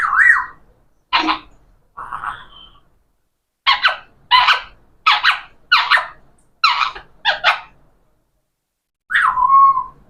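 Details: Talking parrot uttering a series of short, clipped speech-like syllables and squeaks, about ten bursts with gaps between, ending in a longer falling whistled phrase.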